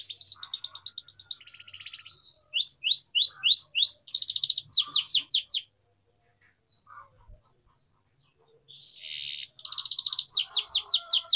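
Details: Atlantic canary, a caged bird kept for singing training, delivering bursts of rapid high trills and repeated downslurred chips, broken by a silent gap of several seconds before the trilling resumes.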